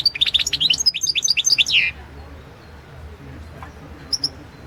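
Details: Competition entry from the 2016 World Championship in Goldfinch Song, a European goldfinch delivering a fast, twittering run of liquid high notes for about two seconds, then near silence broken by one short double note.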